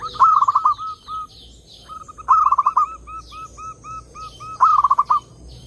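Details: Zebra dove song played to lure other doves: bursts of rapid, bubbling cooing notes followed by a run of separate soft coos, repeated about every two seconds; faint higher chirps from other birds behind.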